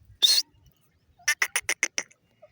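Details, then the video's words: Female grey francolin calling: one loud harsh note, then a rapid series of about six sharp, evenly spaced clicking notes. "female dakhni teeter ki awaaz,teeter bird sound"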